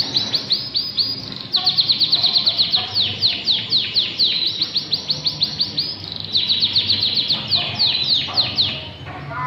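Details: A canary in full song, its phrases repeated over and over: long rapid trills of identical downslurred notes, switching speed between rolls, bright and loud over a faint low hum.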